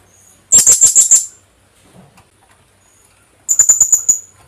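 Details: Lure call of the Philippine hanging parrot (kulasisi): a fast series of about six piercing high chips, quiet for two seconds, then a second rapid run of similar shrill notes.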